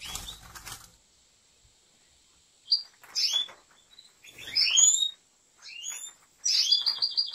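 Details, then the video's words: Aviary-kept European goldfinch giving scattered bright, rising slurred notes and short twittering bursts between silences, ending in a rapid run of repeated tinkling notes; a burst of wing flapping opens the sequence. "طائر الحسون"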